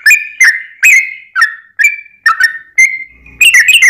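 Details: Yellow-vented bulbul song meant to make other bulbuls respond; spaced bubbly whistles with falling slurs, a drawn-out level note, then a quick chattering flourish to close.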